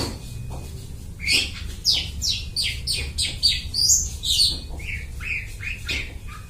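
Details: Long-tailed shrike singing energetically and copying other birds, the song serving as a trapping lure: a rapid series of sharp downslurred whistles and buzzy chips, then shorter descending notes.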